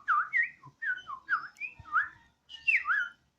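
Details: Energetic song of a pet Borneo White-rumped shama at home on a terrace, likened to a siren. Clear whistled notes that swoop down and up in quick slurred pairs, repeated in short phrases with a brief pause.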